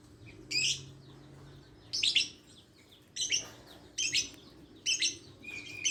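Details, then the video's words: Scattered shrill, scratchy lovebird chirps, single or doubled, separated by quiet gaps of about a second. "Suara burung Lovebird"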